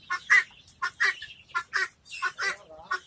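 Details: Short burst of harsh, raspy guineafowl cackles, about eight notes in three seconds, rough and strident, with one softer lower note near the end.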